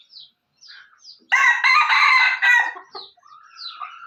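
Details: Red junglefowl from Aceh, a speckled original bird, gives one loud, harsh crow lasting over a second and broken into segments. Short, high, descending chirps from other birds come before and after it.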